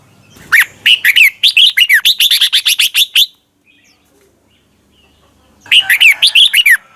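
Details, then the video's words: Thai Red-whiskered bulbul training song for young birds to copy: a long run of about a dozen fast, fluty, up-and-down notes, a pause of silence, then another quick warbled phrase. "นกกรงหัวจุก | Thailand bird, 30 นาทีทุกเช้า เพื่อให้นกเรียนรู้ที่จะพูดได้อย่างรวดเร็วและหนักแน่น"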